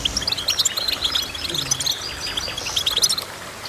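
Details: Goldfinch song of fast, high chirping notes and short trills packed closely together, briefly pausing before a further burst of twitters.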